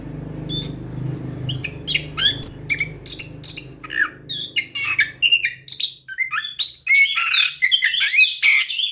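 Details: Orange-headed thrush singing a fast, varied rolling song intended to lure a silent bird; quick high chips and whistles pour out continuously over a low hum that fades after five seconds.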